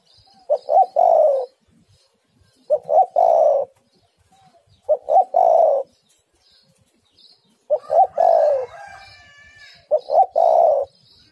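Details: Female spotted dove calling the male, repeating a clear phrase of two short notes and a long throaty coo about every two and a half seconds, with faint high chirps behind.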